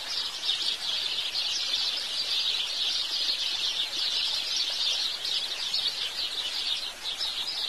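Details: Clear, steady house sparrow chirping: many quick, sharp chirps run together into an unbroken lively chatter that dips briefly near the end, with little background noise.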